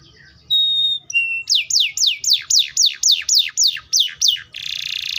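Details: Canary song opening with flat whistled tones at two pitches, then a run of about eleven repeated descending sweeps at a quick even pace, closing with a harsh buzzing trill.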